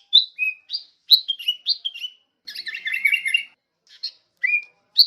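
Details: Sooty-headed bulbul recording meant to tutor songbirds: clear whistled chirps in a quick series, a harsh chattering burst in the middle, then a few spaced bright notes.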